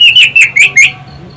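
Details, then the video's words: Orange-headed thrush song used as a lure; five quick loud whistled notes in a rapid run, bright and slightly buzzy, then silence apart from a low hum. "Pancingan anis Cendana"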